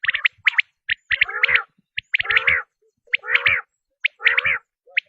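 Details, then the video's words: Hunters' tested quail attraction sound: sharp high whistled notes, each group followed by a rolling, harmonic, buzzy trill, repeating roughly once a second. "بٹیر کی آزمائی ہوئی آواز ۔ | Quail Tested Sound | Batair ki Awaz"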